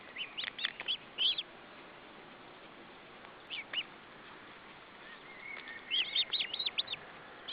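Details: Osprey at the nest while fish is brought for supper, July 2012: short clusters of high, sharp chirps separated by quiet stretches, with a steady background hiss.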